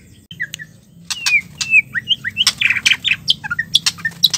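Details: White-rumped shama female calling to stimulate stressed males to sing: a brisk series of harsh squawks, sharp clicks and short downslurred whistles, repeated densely throughout.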